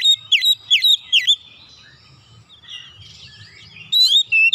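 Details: Oriental magpie-robin song: three loud, sharply downslurred whistles in quick succession, a quiet warbled and twittering interlude, then two more strong whistled notes, with a faint low hum underneath.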